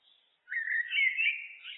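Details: Single warbling phrase from a looped common blackbird song, fluty and slightly rising, sustained for over a second with a soft twittering tail.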